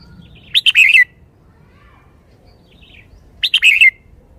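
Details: Red-whiskered bulbul kept in a cage, sounding spirited: two crisp phrases of three or four rapid, loud whistled notes, the last slurring downward, about three seconds apart.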